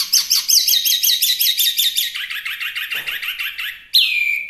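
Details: Chinese hwamei, known as wambi mini, delivering fast repeated ringing notes in a steady chatter, ending in a long clear downslurred whistle.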